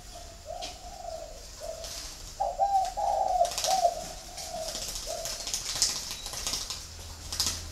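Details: Captive spotted doves at a bird farm in Ba Vi, Hanoi, Vietnam give soft, low, hollow coos in short phrases, about two notes a second, with occasional wing flutters and faint background chirps.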